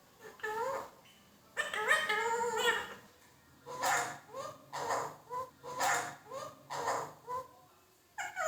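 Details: Indian ringneck parakeet, a pet talking parrot, saying words such as Allah ho and mithu mithu mein tota; harmonic, speech-like syllables and short rising whistled notes repeated roughly every half second to second.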